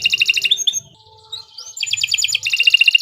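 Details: Kenari Nusantara canary in full song. A quick trill and short slurred notes lead into a soft pause and a rising whistle, then rapid pulsing trills return.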